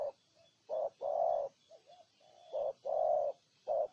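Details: Somewhat distant spotted dove in Ninh Thuận, Vietnam. Short coos lead into long, rounded coos, with soft murmured notes between phrases over a faint hiss.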